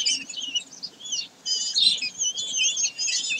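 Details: Common kestrels at Sägeweg, 22 May 2023, giving nearly continuous shrill, rasping calls in overlapping phrases, briefly pausing midway before resuming.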